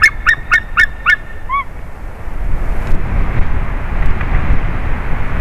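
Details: White-tailed eagle at a favourite tree during a changeover, 30 March 2019: five quick, sharp yelps and a softer trailing note, followed by a steady low rushing noise.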